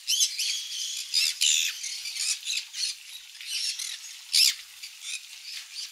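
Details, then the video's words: Conures eating mealworm egg food at a parrot farm, repeated rasping, screechy squawks with layered harmonics, several loud bursts across six seconds. "코뉴어앵무새들을 위한 밀웜 에그푸드 먹는 영상 for conure video"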